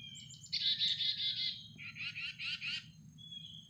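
A chickadee gives a high thin note, then two bursts of harsh, buzzy dee-dee notes in quick succession, over a faint low rumble.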